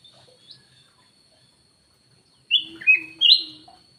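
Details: Lure call of a black-naped oriole: after near silence, three loud slurred whistles in quick succession, the last one rising sharply.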